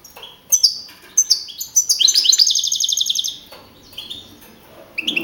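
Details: European goldfinch (Carduelis carduelis), a young male that won first place with 42 points at a 15 April 2012 song contest in Madrid region, singing bright liquid twitters, a fast even tinkling trill, then sharp high notes.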